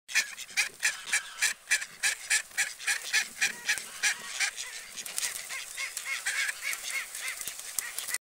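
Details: At a lake in the UK, Mallards give harsh, nasal quacks in quick runs of three or four a second, loud at first, then settling into a softer, steady chatter.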